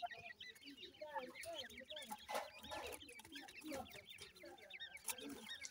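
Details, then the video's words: A crowd of francolin (teetar) chicks peeping constantly, thin high upslurred cheeps overlapping rapidly, with a few lower clucking notes underneath. "teetar bachy ki awaaz,Teetar Chicks Sounds, baby titar sound"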